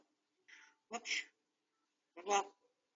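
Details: Pet grey parrot talking indoors while healing from a sore beak tip, recorded on a home cam: three short voiced syllables, a soft breathy one then two louder clipped ones, with silence between and no other sounds.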